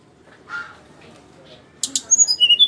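A flycatcher gives two sharp clicks, then a quick run of high, thin whistled notes that jump between pitches, about four per second.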